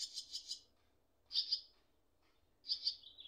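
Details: Swallow nestlings calling while their parents are close by; three quick harsh high chirps, then two paired bursts separated by silence, the last trailing off slightly lower.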